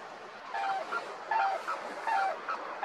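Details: Red-crowned cranes, wild along the Imjin River, trade loud, trumpeting honks in short overlapping bursts, several birds calling roughly twice a second over a steady background hiss.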